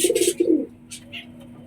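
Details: A domestic pigeon gives a low, throaty, pulsing coo while chasing intruding pigeons away from its mate; the owner expects the pair to bond and lay eggs soon.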